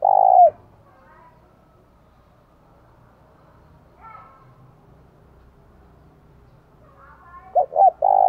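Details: Spotted dove used as a decoy, bích bổi call. A falling coo opens the recording, followed by a long quiet stretch with faint background sounds. Two short coos and the start of another close it.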